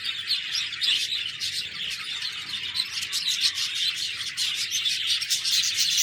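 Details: Budgies chirping together in shrill, overlapping tweets and buzzy warbles, the noise swelling and dipping slightly but never stopping.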